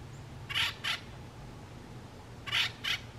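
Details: A male Acorn Woodpecker gives two pairs of harsh, nasal notes, each pair quickly doubled, about two seconds apart, over a faint low rumble.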